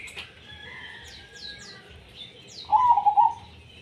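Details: A single rolling, trilled coo phrase from a zebra dove singing tumpang sari, heard near the end after quiet high chirps from other birds.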